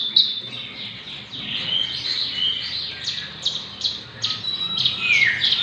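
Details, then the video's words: Persistent song of a six-month-old Javan bush lark: a jumble of high chirps, slurred notes and a few rising whistles, delivered unevenly over a soft low background hum. "burung branjangan javanica usia 6 bulan gacor"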